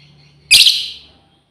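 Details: A single loud, grating screech from a female lovebird calling out to companions, starting abruptly and trailing away over half a second.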